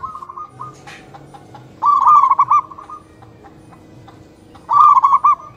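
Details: Zebra doves of a local strain calling back and forth in the morning. A faint phrase at the start, then two loud phrases of rippling, stuttered coos about three seconds apart, with light clicks in the background.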